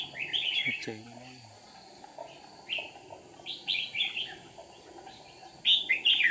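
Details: A red-whiskered bulbul kept as a decoy for trapping wild birds sings bursts of bright, slurred whistled notes. A man's voice is heard briefly near the start against steady background noise.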